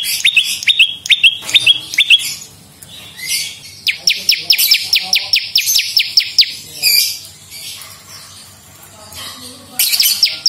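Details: Bar-winged prinia in energetic song meant to draw birds in and train caged singers: thin piercing notes, then a long rhythmic series of sharp downslurred chips, a quieter stretch, and a final burst.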